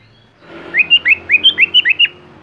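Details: Sooty-headed bulbul singing a lively, varied phrase: about nine short whistled notes, each bending up or down, delivered in quick succession over roughly a second and a half against a quiet background.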